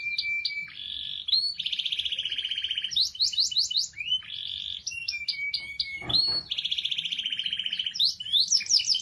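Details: Canary in lively song, used to encourage a silent canary to sing: long flat whistled notes alternating with buzzy rolling trills and bursts of quick rising chirps, the pattern repeating across the phrase.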